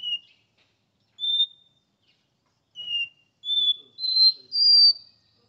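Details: Porta-voz song from a caged Capped seedeater in São Paulo, Brazil: spaced single whistles that then rise quickly through three higher, longer notes.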